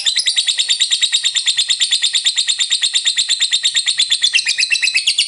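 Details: Sustained ngekek of a lovebird, a long chattering song for provoking others to sing: fast, evenly pulsed shrill trilling, roughly three beats a second, holding high pitch with no break.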